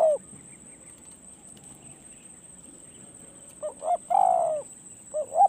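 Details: Spotted dove at close range on a decoy-luring perch: a long pause, then a clear phrase of short clipped notes ending in a drawn-out, resonant coo, followed by another short note pair; steady high insect whine behind.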